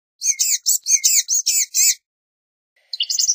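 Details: Thin, high, mewing notes from a Blue-gray gnatcatcher, around seven slurred phrases run together in under two seconds, then a brief soft twittering burst.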